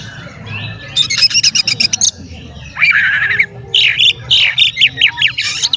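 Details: Oriental magpie-robin singing profusely as a lure to provoke rival magpie-robins: a burst of sharp, fast clicking chips, then slurred whistles and a series of quick up-and-down notes.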